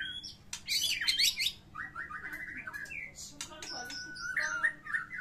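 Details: A white-rumped shama sings an energetic fighting song with rich mimicry, played to prompt silent birds: dense high chatter, a run of quick repeated whistles, then clear level whistles and short trills.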